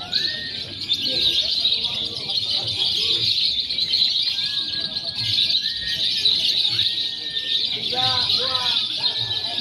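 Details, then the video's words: Lovebirds in a simulated contest mixing konslet, fighter and paud styles, meant for training birds before competing; dense, continuous shrill chattering with thin sustained whistles and short sliding notes, plus lower scattered chirps. "SIMULASI LOMBA LOVEBIRD BEBAS AKSI (KONSLET, FIHGTER, PAUD)"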